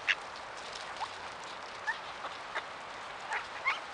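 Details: Bold, hungry mallards fed by people in November in the Urals, approaching to beg for food; short quacks and brief tonal notes spaced irregularly, about one every two seconds, over constant background hiss.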